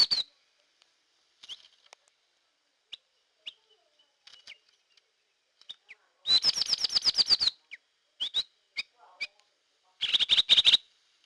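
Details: Hair-crested drongo lure recording: scattered soft chirps, then a rapid rattling series of upswept notes, more single calls, and a final fast chattering burst.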